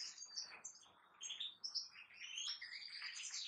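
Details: European goldfinch song from a kept bird, fast twittering phrases of bright chirps, whistled slurs and tinkling notes with a brief quieter gap midway before resuming.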